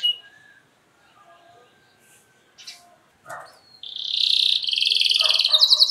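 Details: Canary in a long 'luxurious' lure song to get other canaries singing, faint scattered noises at first, then a loud sustained buzzy note bursting into quick high trills.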